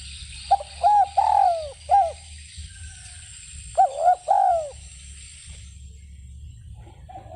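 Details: Cooing of a spotted dove, repeated twice: quick clipped hoots, then a longer mellow coo that falls in pitch at its end. A gap of roughly two seconds separates the phrases, with a faint start of another at the end.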